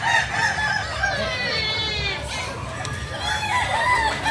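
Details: Kukuak Balenggek chicken of Solok, West Sumatra, crowing. A rippling, tremulous crow swells mid-clip, and a clear wavering phrase follows near the end. A person speaks briefly in the background.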